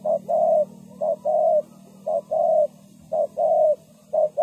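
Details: Spotted dove serving as a trapping decoy, cooing in gentle hollow tones. Each phrase pairs a brief note with a longer rolling croo, about three phrases in quick order over a constant low drone.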